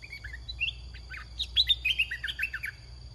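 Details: Decoy red-whiskered bulbul in a cage, used in bird luring, delivers a dense, fast run of cheerful warbled notes and short downslurred whistles. The notes come several per second against a faint steady high tone.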